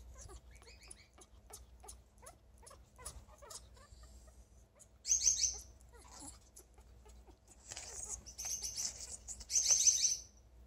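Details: A female African grey parrot makes soft ticking clicks and creaky chatter, a sound she makes when happy and wanting affection, then two bright, squeaky, rasping bursts midway and near the end.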